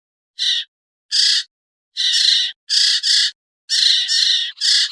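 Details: Sirtu, or common iora, in a pikat lure recording used to draw down birds that are hard to bring down: six harsh, buzzy, rasping bursts, each under half a second, separated by short silences.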